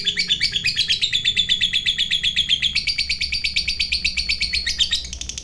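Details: Long ngekek chatter of a lovebird fighter, a song said to provoke other lovebirds. Fast, shrill pulsed notes run continuously, stepping up in pitch near the middle and fading slightly at the end.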